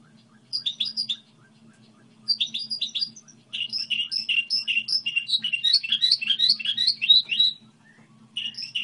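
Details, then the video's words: Goldfinch hybrid singing a song model: short bursts of high twittering separated by pauses, then a longer rapid sequence of rolling, slurred notes, over a faint steady hum. "Hibrid sticlete ,model de cântec (Goldfinch hybrid)"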